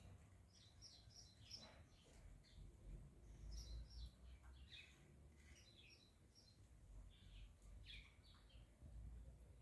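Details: A pair of saffron finches feeding, giving short high chirps in loose clusters of two to four, repeated several times a second with brief pauses, over a low background rumble.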